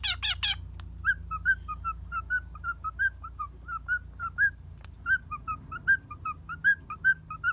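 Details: Pet cockatiel boarding at a bird hotel in Kobe, Japan, perched on a hand, balancing and playing in a good mood. Three harsh, broadband screeches open, then many short whistled chirps repeat at a steady, quick pace with slight pitch wobble.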